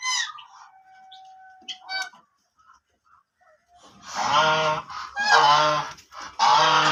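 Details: Soft nasal calls from black ducks, then a pause, then three loud, drawn-out, rasping quacks in quick succession.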